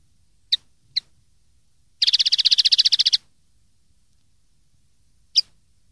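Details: Common linnet singing, a recording meant for young linnets to copy: two short chips, then about a second of rapid pulsed trill of some fifteen notes, and one last chip after a gap.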